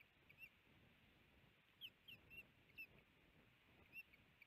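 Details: A male osprey at a nest near Missoula, Montana, on 17 April 2019 gives alarm calls as the female arrives with a big fish. Faint, short, high chirps come singly or in pairs at uneven intervals over a steady hiss.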